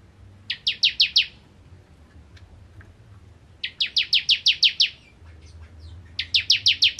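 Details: Bar-winged prinia, called ciblek kristal, singing gacor nembak ngentrok: three separate bursts of fast, shrill, downslurred notes, each a rattling train of five to eight chips, with faint scattered ticks in the pauses.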